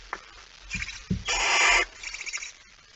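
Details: Male barn owl arriving with a mouse at 23:55, 17 September 2019: a single loud rasping hiss of about half a second, framed by softer scratchy hissing and a few sharp clicks and knocks.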